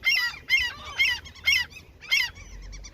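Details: Close gull calls at a feeding spot by fishing grounds: loud, harsh, nasal yelps repeated roughly every half second, each a rising-then-falling squeal, followed by softer quick notes.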